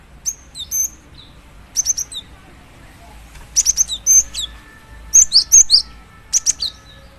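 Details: Female cinereous tit calling to a male: clusters of sharp, high chirps and short downslurred notes in quick bursts, separated by brief pauses, with a faint low hum underneath.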